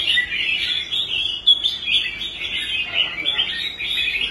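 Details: Red-whiskered bulbul in a cage, a bird that once refused to compete and was restored to good form on the show rack; steady, high, rippling twitter with quick notes flowing without pause.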